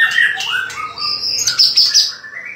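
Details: White-rumped shama giving a rapid run of bright whistled phrases. Falling notes lead into high, ringing chips and a short rising whistle at the end.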